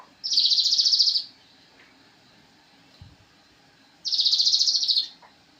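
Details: Javan cochoa singing for songbird training: two high, buzzy trilled phrases of about one second each, separated by roughly three seconds of quiet, with a faint knock between them.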